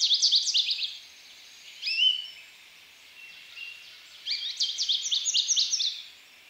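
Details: High, twittering American goldfinch song: a quick run of chirps, a couple of separate upslurred notes, then a longer, rapid, jumbled series of bright sliding notes.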